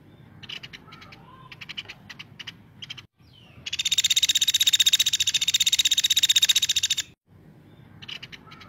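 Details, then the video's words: A woodpecker gives a loud, high, buzzy rattle of rapid notes lasting about three seconds, with shorter chattering bursts before and after. "caladi gacor"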